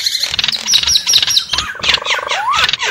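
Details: Javan myna lure sounds for attracting wild birds: looping high whistles and squeaks, then a lower rising-and-falling whistled slur and buzzy chatter, all in a crowded short burst.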